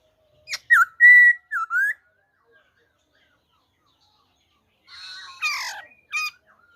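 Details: Black-throated laughingthrush giving wild-type song, recorded 26 December 2020: a quick burst of clear whistled notes with a pure sustained tone, a pause, then harsher clustered notes.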